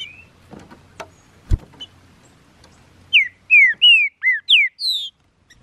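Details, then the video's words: Green-winged saltator, a male kept bird taken into the woods for song training after its feather moult, May 2019; a series of six loud, clear whistled notes, mostly falling slurs, after a quiet start with faint clicks and a low hum. "TRINCA FERRO BOLSONARO NO MATO"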